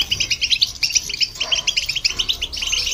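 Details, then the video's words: European goldfinch song with a hybrid, meant to provoke other birds: bouncy clusters of bright chirps in short bursts, separated by tiny gaps. "Goldfinch And The Hybrid To Hear And irritate The Birds"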